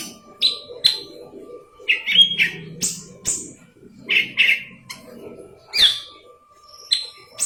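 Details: Golden-fronted leafbird song recorded for tutoring green leafbirds: spaced chirps and short whistled phrases, irregular in timing, with brief sharp clicks and a faint low murmur.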